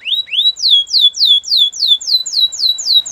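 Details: Belgian canary singing for training: a brisk series of about a dozen downslurred whistled notes, evenly spaced roughly four per second, clear and loud.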